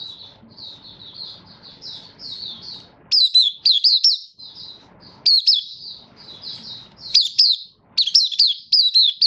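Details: Malaysian Oriental white-eye, caged Kitaro line bird in minor moult and still building form, 24 August 2023: quiet warbling stretches broken by loud, high, sharply slurred chirp phrases repeated in groups of three to five.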